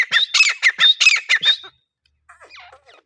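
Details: Wild grey francolin (teetar) calling: a rapid run of about eight loud, harsh, ringing notes with rising squeaky tones, lasting under two seconds. Then comes a pause and faint scratchy chatter near the end.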